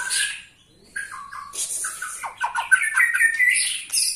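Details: Old white-rumped shama, 21 years of age, singing forcefully: scratchy downslurred notes building into dense, rapid whistled and buzzy phrases.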